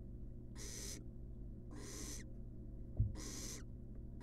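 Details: Spaced hissing screeches of a wild baby barn owl begging as a rat arrives in its nest box, about three bursts with a single knock between and a low hum throughout.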